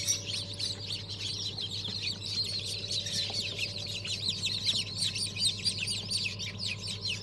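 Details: Dense chorus of just-hatched ornamental chicks, the year's first hatch dated 14.01.2023: many high-pitched peeps tumbling over one another without pause, over a steady machine hum.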